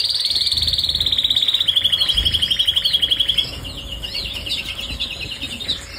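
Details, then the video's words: A canary sings a fast, rolling trill of about ten high notes a second, sliding slightly lower, then breaks into varied chirps and warbles over a faint steady hum. "kanarienvogel gesang"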